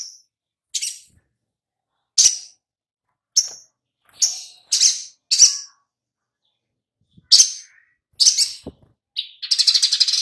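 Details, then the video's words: Oriental magpie-robin song used as a lure to make birds sing: loud, sharp chirped phrases and whistled notes in separate bursts about a second apart, ending in a rapid rattling series; clean background. "Pancingan SOGOK ONTONG Biar NYAUT GACOR"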